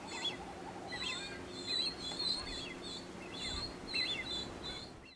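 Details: Genovesa ground finch (Geospiza acutirostris) calls on Genovesa, Galápagos, Ecuador, in May 2012: short, high chirps and twittering notes in loose bursts every half second or so, over a steady low background rush.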